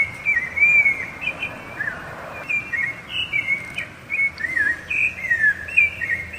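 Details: Sabiá-laranjeira, the rufous-bellied thrush, delivering its strong territorial and courtship song: clear whistled phrases, some slurred downward and some rising, spaced by short gaps, with faint background hiss.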